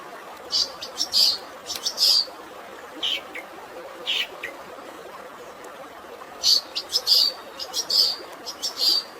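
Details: Sparrow-filled fighting song from a long-tailed shrike: scattered clusters of sharp, high chirps, a quiet gap in the middle, then a renewed run of chirps, backed by steady natural water sound.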